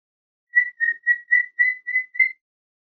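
A cockatiel gives seven clear, steady whistled notes in a quick, even series.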